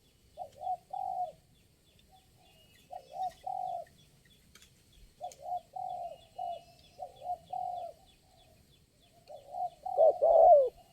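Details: Spotted dove responding to lure birds, the only one calling at the site: clusters of two or three soft coos separated by pauses of a second or more, closing with a louder, harsher burst and faint distant clicks.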